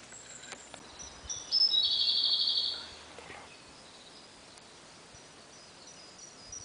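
A Siberian blue robin gives a thin high note, then a fast, high, dry trill of about a second, with faint background hiss.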